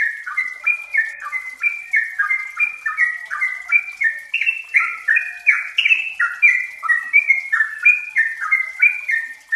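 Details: Close-tempo song of a yellow-vented bulbul, locally trucukan or merbah cerukcuk, kept as a lure for untrained birds. Continuous liquid, bubbling phrases of paired notes wobble up and down, about two notes a second, with no other sounds.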